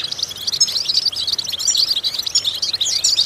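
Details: European goldfinch vocal exercise for stimulating goldfinches: a loud, unbroken stream of fast, high twittering notes and buzzy trills, busy and bright throughout.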